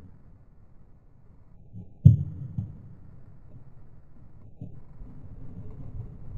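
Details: Near silence with a low hum, broken by a sudden dull thump and a few soft knocks.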